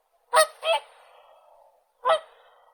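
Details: Whooper swan giving loud, trumpeting honks: two quick nasal blasts close together, a brief gap, then a third honk, each trailing into a faint rasp.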